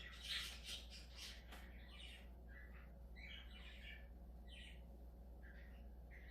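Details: Budgerigar giving bursts of harsh squawks and short chirps, irregular and crowded at the start, then scattered buzzy notes, over a steady low hum indoors.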